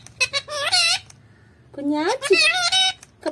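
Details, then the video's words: Talking parrot voicing Malayalam-like words in two bursts: squeaky, harmonic syllables that bend up and down, then a rising swoop and a quick chattering run, with quiet indoor hum between. "Malayalam talking parrot"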